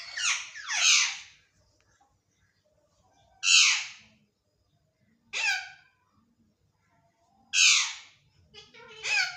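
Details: Indian ringneck parakeet copying a cat's meow: loud, harsh, downward-sweeping cries repeated about every two seconds, four main calls, then a shorter broken one, in a quiet room.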